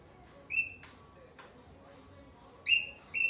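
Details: Cockatiel making a single sharp chirp, then a pause with soft taps and clicks, followed by two more quick bright chirps.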